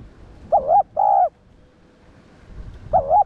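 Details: Cooing spotted dove, used as a training call for other doves: one full phrase of two throaty coos, a pause, then the first coo of the next phrase.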